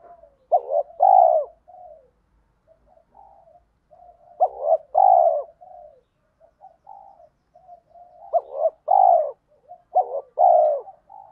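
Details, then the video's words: Spotted dove lure recording, male and female coos in the thổ pha thúc style, played so wild males coo back: four loud two-part coos, a short hooked note then a longer falling croo, with soft low murmured notes between. "chim cu gáy mồi giọng thổ pha thúc gù như máy khâu, bổi nghe ức chế gáy theo, mở là gáy"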